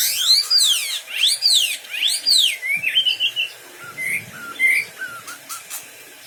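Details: Singing wambi bird: three loud arched whistles, each sweeping up then down about a second apart, followed by shorter chirped and slurred whistled notes.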